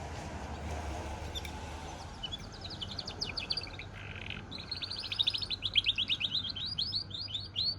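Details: Goldfinch–canary cross sings after a quiet start: quick high twittering, a brief buzzy note, then a long, rhythmic series of bright chirps and trills, with a low hum beneath.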